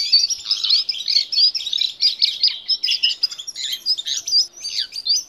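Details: Jungle babbler singing eagerly, a training recording for caged birds: dense, high, scratchy chatter interwoven with short clear whistles, running continuously with small pauses.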